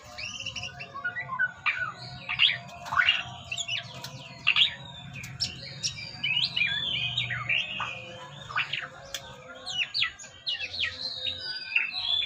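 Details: White-rumped shama in a breeding aviary during aggression in the enclosure. It sings a fast, varied stream of sharp whistles, slurred upsweeps and buzzy chips in dense bursts with brief pauses. A faint low hum sits underneath.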